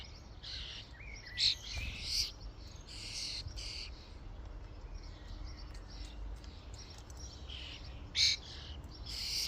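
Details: Common starlings gathered as a flock at a feeding station give harsh, rasping screeches in separate bursts, two loud ones standing out, between quieter chirps, with constant low background rumble.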